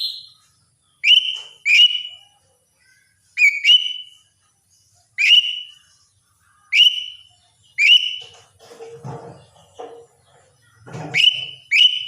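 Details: Greater green leafbird singing energetically, used to spur reluctant kept birds: clear ringing whistles with a quick upward flick, in pairs and singles about every second, plus a few lower rattling notes near the end.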